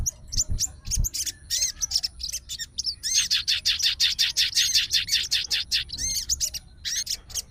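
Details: Fighter-type sooty-headed bulbul reacting straight away to a heard bulbul voice and calling a rival; dense series of quick chirps and curving whistles, with a few low thumps early on.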